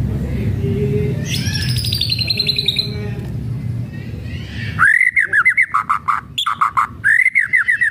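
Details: White-rumped shama kretekan song, used to provoke other shamas: harsh buzzy scraping notes over background noise, then loud arching whistled phrases broken by sharp clipped notes.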